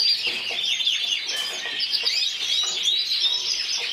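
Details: Competition canary, yellow frosted lipochrome, runner-up individual at Burgos 2014, sings a bright, unbroken run of fast high trills and sweeping whistled notes.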